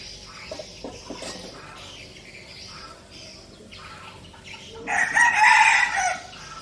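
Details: Soft clucking notes come first, then a loud, brief crow with a truncated ending from a captive red junglefowl kept as a decoy in Bình Phước, Vietnam.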